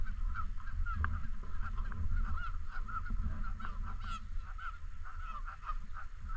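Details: Canada geese in and around a park lake: a flock gives steady, overlapping nasal honks throughout, some louder calls near the start and middle, over a constant low rumble of wind or handling noise.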